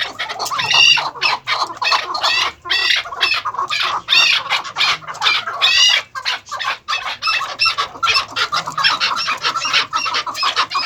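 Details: Caged maskati chakor, first- and second-cross pairs at a breeding farm, uttering strings of ringing stacked chuck-chukar notes in bursts separated by short pauses, several birds overlapping, over a faint low hum.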